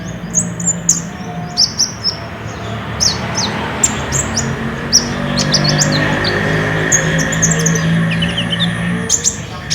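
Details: Lure recording of a lively olive-backed sunbird, made on a Samsung J5 phone to get caged birds singing: rapid, high-pitched tweets and short, sharp chips in irregular runs, roughly four per second, over a continuous low droning hum.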